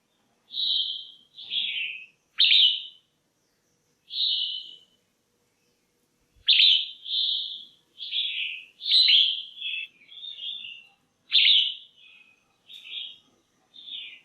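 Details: Female red-whiskered bulbul in captivity, calling to stimulate males or for pairing: crisp, separate chirped whistles, roughly one or two a second, with a quicker jumbled run in the middle.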